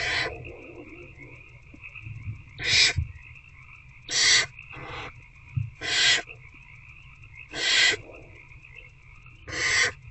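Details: At night in Owl Box C, 19 February 2024, a barn owl adult feeds an older owlet; five rasping hissed screeches of about half a second each come in a loose series every one and a half to two seconds over a constant humming drone.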